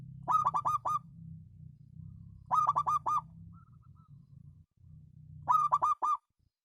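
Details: Local zebra dove singing three cooing phrases roughly every two and a half seconds. Each phrase is a quick run of four or five rolling notes, and a faint low hum runs underneath.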